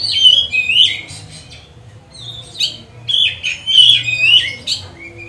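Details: Oriental magpie-robin song used to provoke and train other magpie-robins: a run of high warbled whistles and squeaky phrases with short pauses, over a steady low hum.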